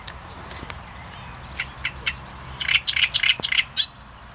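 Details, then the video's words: Great reed warbler song: a burst of loud, harsh, grating notes and croaky chirps, fast and jerky, building after a quieter start, over faint background hiss. "Trzciniak i jego śpiew"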